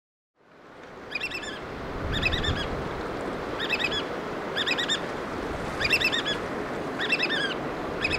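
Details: Black oystercatchers feeding chicks in the Pacific Northwest of Washington; loud piping calls in short bursts of rapid down-slurred notes, repeated about once a second over steady surf or wind noise.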